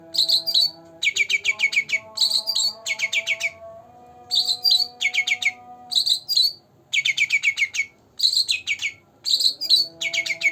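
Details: Lively song from a two-month-old caged green leafbird: repeated volleys of rapid, sharp high notes interspersed with fuller twittering phrases, brief gaps between volleys, and a soft steady hum beneath.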